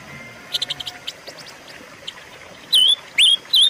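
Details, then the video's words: Silver-eared mesia recording meant to lure and train caged birds: a few soft chips early, then three loud, clear, slurred whistles, each bending down and up, in the last second. "pancingan dan masteran suara burung pancawarna"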